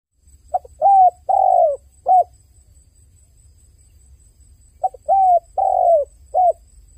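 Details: Dove crying: two bursts of low hollow cooing, each a short note, a longer steady coo, a long falling coo and a short final coo, separated by about three seconds of quiet with faint low hum.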